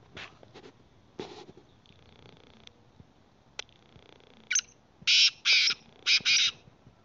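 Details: Black francolin calling outdoors in Khyber Pakhtunkhwa, Pakistan: after faint scattered clicks, a loud run of harsh, grating, buzzy bursts, two to three short blasts then longer rasping notes, repeated in quick succession near the end.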